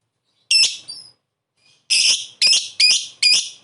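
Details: Lovebird calls played as a lure to get other birds to answer: a harsh, high screechy note, a short fainter squeak, then four loud rasping chirps about half a second apart.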